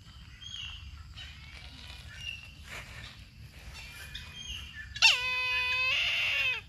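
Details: Brahminy kite: after several seconds of faint, scattered chirps, one loud, harsh, drawn-out screaming call rings out for nearly two seconds, holding steady before tailing off with a falling end.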